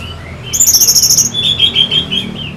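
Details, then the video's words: Orange-headed thrush song from Singaraja, North Bali, played to stimulate fighter birds: a quick series of very high rippling trills, dropping into a run of rolling, slurred whistled notes. "Pancingan SUara ANIS MERAH Pembangkit Figther Burung"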